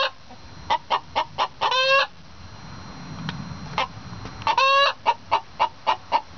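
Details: Hen duet egg song, bragging about laying: bursts of quick, sharp clucks with a long raspy squawk in each burst, separated by a quieter pause with faint low rumble.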